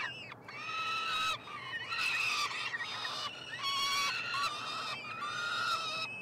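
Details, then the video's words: Peregrine falcon triplets being fed at their nestbox, University of Montreal, Canada, 21 June 2022. Bursts of loud screeching, several chicks calling at once with rising and falling notes, separated by short silences about every second. "Faucons UdeM en direct / Live Stream - Karmienia " trojaczków ""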